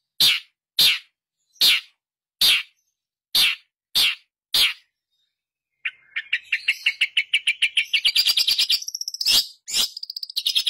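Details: Long-tailed shrike, a lure recording for a shrike that has stopped singing: seven harsh, rasping notes about a second apart, then a fast, scratchy chattering warble of rapid high notes.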